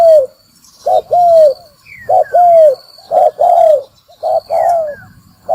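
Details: Spotted dove lure call for sound-trapping: about five paired phrases, a short soft coo then a longer, smoothly falling coo, given in steady succession roughly every second against a quiet background.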